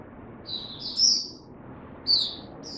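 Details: ['Oriental white-eye, a caged hobby bird during cold rainy weather, gives two short, high, thin twittering phrases over a soft background hiss.']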